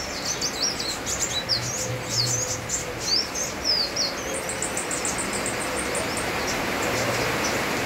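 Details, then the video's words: Sunbird singing busily over a steady hiss of rain: rapid high, thin chirps and short sweeping whistles, then a run of clipped, tinny ticking notes near the end. "Kolibri wulung gacor bonus irama hujan"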